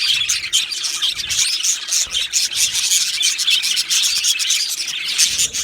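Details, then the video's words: Male budgies, two of them, produce a rasping, buzzy stream of twittering and clicking chirps, continuous and rhythmically pulsing. "2 Male Budgies Birds Sounds | Australian Budgies Birds chirping sounds"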